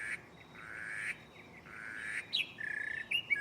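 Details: Mockingbird at night in a nearby tree giving harsh, drawn-out rasping squawks, followed by a quick stuttered trill and sharp chip notes.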